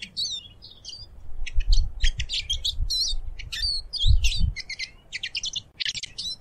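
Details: Eurasian siskin song: continuous quick high twitters and chirped trills, with low rumbling and occasional thumps underneath.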